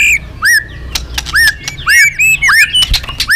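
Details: Magpie-robin singing loudly and vigorously, a lure recording for other birds: loud, rising whistled notes with bright overtones, repeated about every half second, mixed with sharp clicks and short chirps over a low background rumble.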